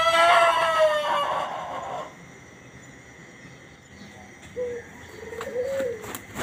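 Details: An Ayam Ketawa ("laughing chicken") rooster gives one loud, rich crow of about two seconds, sliding slightly down in pitch. It answers readily on hearing another bird, and a few faint, short answering notes follow in a quiet background.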